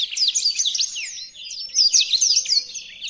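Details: Blackthroat singing, recorded as a tutor song for training other birds: rapid high twitters and swooping whistled notes in a dense flow, easing briefly at mid-point before surging again.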